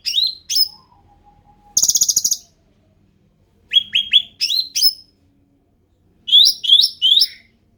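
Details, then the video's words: Endemic ruby-throated bulbul: high downslurred chirps, a brief lower whistle, a dense rattling trill of rapid notes, then several repeated sharp falling phrases separated by pauses. "SUARA ASLI CUCAK RANTING"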